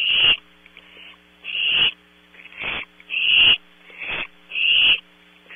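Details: Night at Audubon Starr Ranch, California, where barn owl owlets on a close-up PTZ camera give six scratchy, hissing screeches in under six seconds, irregularly spaced, against a constant hum.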